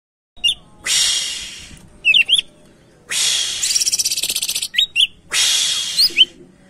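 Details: Greater green leafbird singing, a lively bird used as a lure to get other birds singing: loud, harsh, broadband bursts alternating with short, sharp whistled notes and quick squeaky slurs.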